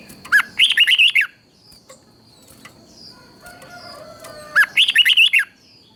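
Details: Thai red-whiskered bulbul singing southern master-style song, played to excite other bulbuls and teach chicks. Two lively phrases of rapid, mellow whistled notes, about four seconds apart, with quiet chirps and a high whine between.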